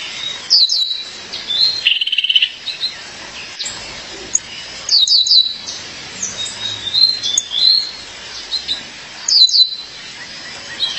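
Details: Calling for her mate, a female violaceous euphonia repeats bursts of bright high chirps roughly every four seconds, mixed with a short buzzy trill and thin wavering whistles.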